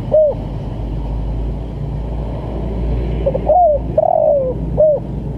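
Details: Call of a spotted dove in the 'lambung kuk' pattern, meant for training and luring birds: one short note, a pause, then a phrase of quick notes, a falling coo and a closing note over low droning noise.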